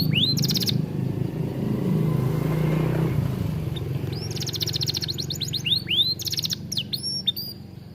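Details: Atlantic canary singing vigorously in an aviary as a tutor song: brief high trills at first, then after a pause a long run of fast rolling trills and curved whistles, over a low engine rumble from passing traffic.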